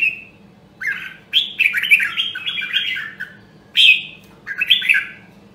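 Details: Red-whiskered bulbul from Nam Dong, Hue, Vietnam, a caged bird being trained to sing. A clear whistle opens, then a run of rich, rolling warbled notes, followed by two shorter descending phrases. Low constant hum behind.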